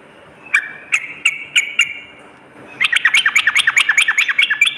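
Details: Sooty-headed bulbul used as a lure to draw other birds into calling, morning and night: five sharp chirps spaced apart, then a fast run of about fifteen rapid clipped notes, clear and loud with no other sounds.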